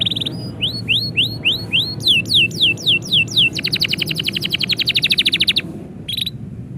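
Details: Canary singing when its owner is about to leave, with upward-sweeping whistled notes repeated about four a second, then steep descending slurs, then a long fast rattling trill of many short notes before a brief pause and a final note.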